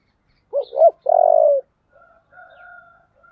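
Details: A spotted dove of the 'giọng thổ' voice type gives a fierce fighting call: two quick low hoots, then a long, rough, wavering coo. Softer distant cooing follows in a quiet setting.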